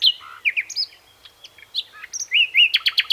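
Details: Continuous varied song of a common nightingale, Luscinia megarhynchos: whistles, chirps and slurred notes, closing with a fast series of repeated sharp notes.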